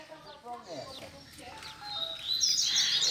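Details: At a Sunday singing session with many double-collared seedeaters perched on stakes, a man talks over the first half, then a seedeater bursts into a loud, high, rapid run of bright whistled and buzzy notes.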